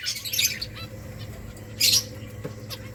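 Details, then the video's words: Finches at a rice feed give two brief bursts of bright, high chirps about one and a half seconds apart, with quieter twitters between and a faint steady hum underneath. "Beautiful finches eating rice 🍚 birds chirping sounds"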